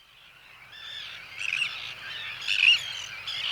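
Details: Common terns in a busy breeding colony, adults and young calling together: a dense chorus of harsh, grating, overlapping high calls mixing contact, social, territorial and alarm calls, rising in bursts and never pausing.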